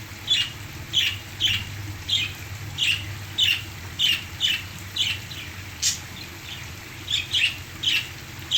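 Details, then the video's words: Pet parakeets singing along to waterfall sounds; short bright chirps and squawks repeated roughly every half second to second, over a steady low hum and a constant high hiss. "My parakeets singing to the sounds of the waterfall"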